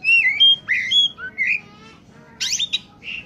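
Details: Oriental magpie-robin singing in peak condition, used to lure wild birds: a run of mellow slurred whistles and short rising notes, then a harsh buzzy burst and a final whistle.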